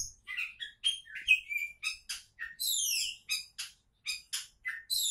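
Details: Oriental magpie-robin singing in a quiet setting: quick varied notes, short whistles, harsh chattering bursts and repeated down-sweeping slurs, delivered in a rapid, energetic stream roughly every half second.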